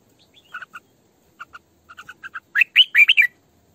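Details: Caged female red-whiskered bulbul, kept as a decoy, starts with paired soft chips repeated at intervals, then bursts into a loud, fluty, rolling warble.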